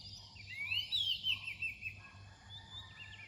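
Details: Near dawn, an Oriental magpie-robin gives a single rising then falling whistled phrase with a short warbled tail, followed by quieter faint notes against a constant low hum.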